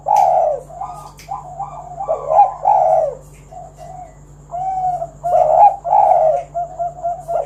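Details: Spotted dove singing actively to draw other doves into song: a series of low, throaty coos in irregular phrases, some with a quick stuttered lead-in, and a few faint clicks.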